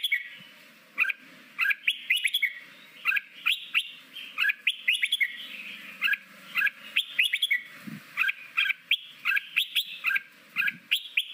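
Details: Red-whiskered bulbul forest-voice song, used for 15 minutes a day to coach newly caught birds into competitive singing; lively series of short looping whistles and chirps repeated in quick clusters, with a faint low thump near the end.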